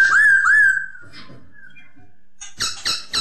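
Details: Song of the masked laughingthrush, locally poksay hongkong: two loud, slightly rising whistled notes, a softer trailing whistle, then a few short harsh chattering notes near the end.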